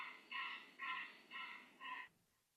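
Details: Canvasback recording played to a listening audience at a poetry talk: four even, nasal notes with rich overtones, spaced roughly half a second apart, then the sound fades into quiet.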